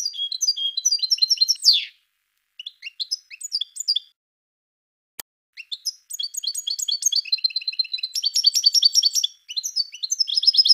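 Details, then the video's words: European goldfinch of the parva subspecies in song: bursts of quick tinkling, twittering notes and liquid trills broken by pauses of a second or two, with one sharp click in between. "Chant de chardonneret parva Goldfinch"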